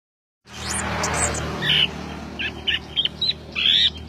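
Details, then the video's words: An Orange-headed thrush sings short, clear whistled phrases in quick succession, bright and varied, over a steady low hum. "Anis Kembang Gacoor"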